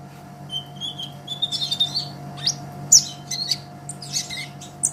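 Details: ['Olive-backed sunbird singing energetically, recorded as a master track for training songbirds: thin, high twittering notes and short trills that grow busier after the first second, over a steady low electrical hum.']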